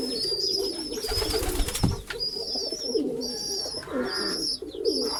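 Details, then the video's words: Flock of pigeons inside a pigeon house giving continuous rolling coos, low and bubbling, layered over one another, with sharp high whistles and a short noisy scuffle near the start. "Pigeon sound effect pigeon house || Pigeon sound"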